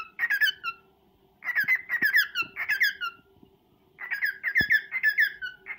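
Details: Male cockatiel serenade to a female: three bursts of twittering, downslurred chirps and whistles, each about a second long with brief gaps between, over a low hum and a few soft knocks.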